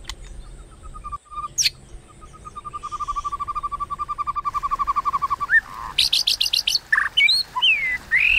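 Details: White-rumped shama fighting song in the kéo thuốc lào style, meant to provoke rivals: a long, steady, accelerating series of even low notes lasting several seconds, then loud buzzy rattling bursts and high looping whistles.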